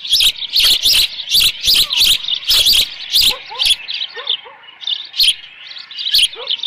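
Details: Osprey at a ranch nest camera, 13 June 2018 around 11:37 in the morning, with leftover fish; a burst of loud, high chirps repeated rapidly, then softer scattered notes and faint lower chirps.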